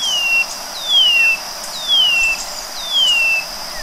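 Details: Four loud, pure whistled notes from a white-bellied seedeater, each gliding smoothly downward and evenly spaced about a second apart, set against a continuous shrill insect drone.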